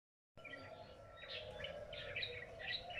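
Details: Unfamiliar bird singing in a lychee garden at midday: short bright chirped phrases repeated about every half second over a steady low hum.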